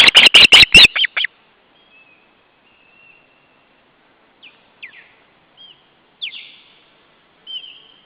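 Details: Osprey sounding the alarm over an intruder at the nest in July 2012, the day after the ringing. A quick run of sharp, high repeated notes opens the recording, followed by a few faint, thin whistles and soft downslurred chirps.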